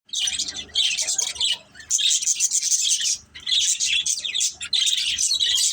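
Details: Pet budgerigars, a family group playing together, chatter in dense bursts of high scratchy chirps and warbles, broken by short pauses near two and three and a half seconds.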